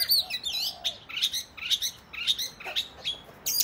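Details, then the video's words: Oriental magpie-robin fighting song meant to stir other males: short bright whistled phrases and chips repeated roughly twice a second with uneven timing. "Kacer gacor tarung ngobra dijamin Kacer lain langsung ngeplay Buka Ekor !!"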